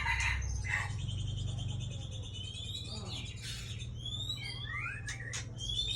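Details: White-rumped shama of the Aceh type, a breeding female, singing a rich, varied stream of clear whistles, rising and falling slurs and fast trilled phrases, nearly continuous throughout, over a low steady hum.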